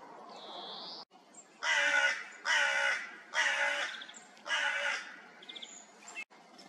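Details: Hooded crow near a forest feeder in early morning, 29 March 2023, with bullfinches and greenfinches around: four harsh, hoarse caws about one per second, with a brief whistle and faint small-bird twitters behind.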